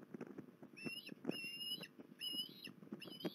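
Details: Osprey at Port Lincoln on 21 December 2020, calling with repeated upslurred whistles in short series, set against steady clattering, knocking background noise.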